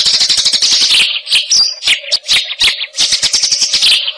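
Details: Fast, tightly packed single-note song of a fighting-type Eurasian tree sparrow: bursts of rapid shrill chirps broken by short gaps and a few spaced sharp notes.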